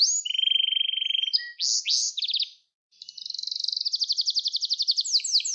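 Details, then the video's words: Gloster canary in song, a training recording for young canaries: a low steady buzzing tour, quick high slurs and trills, a short pause, then a long accelerating rolling trill. "Gloster Kanarya Sesi Ve Ötüşü"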